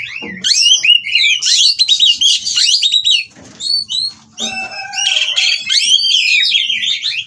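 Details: Caged Oriental magpie-robins mating at a breeding farm, call meant to make rivals sing: energetic warbling of zigzag whistles and chirps, a brief pause with a wing flutter, then another long rich burst of varied notes.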